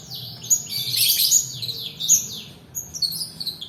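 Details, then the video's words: Long-tailed shrike singing, a recording meant to coax lazy singers and train other birds. High, slurred chirps and downward-sweeping whistles come in quick clusters, then sparser bright notes. "PANCINGAN PENTET MALAS BUNYI ROLL DURASI COCOK UNTUK MASTERAN"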